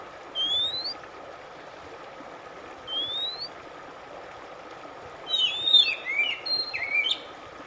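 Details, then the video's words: Oriental magpie-robin (kacer) in a relaxation track for stressed birds: two lone rising whistles, then a quick burst of varied, slurred whistled notes, over a steady hiss like running water and a faint constant hum. "RELAKSASI AMPUH KACER SETRES MACET TOTAL CEPAT BUNYI"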